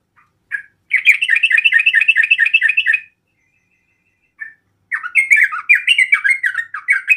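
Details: Sooty-headed bulbul song provoking rivals: a quick chattering burst of repeated paired notes, a pause with one short chirp, then a series of swooping, slurred notes.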